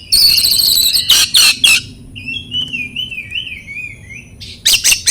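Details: Oriental magpie-robin song intended to prompt mute or stressed birds to sing: shrill buzzy chatter, several loud rasping notes, then a long wavering high whistle and more rasps.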